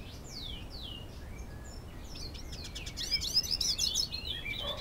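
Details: A captive-born two-year-old male hooded siskin courting a female Belgian canary in Canoas, Rio Grande do Sul, Brazil, opens with falling whistles, then a rapid, twittering, buzzy warble over a soft hiss.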